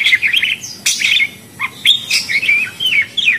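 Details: Budgerigar warbling: fast, buzzy, wavering twitters and squeaky whistled notes in short, closely spaced phrases.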